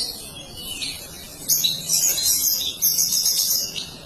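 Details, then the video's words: Long-tailed shrike in full song, a tight rush of very high, thin chattering and twittering notes that grows louder and denser halfway through and keeps going without pause. "Cendet Materi Panjang Gacor Dor Kicau Mantap Rapat"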